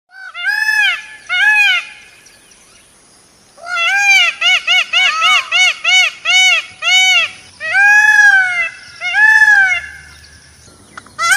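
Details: Indian peafowl, peacock, calling loudly: a series of loud, nasal, arched wailing cries with strong harmonics, first a few spaced calls, then a rapid run of about nine short repeated cries, then longer drawn-out wails.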